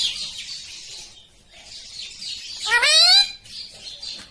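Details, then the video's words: Green ringneck parakeet making a loud, raspy, rising screech of about half a second, set against steady hissing, rustling background noise heard before and after the call. "original Sound Ringneck Green"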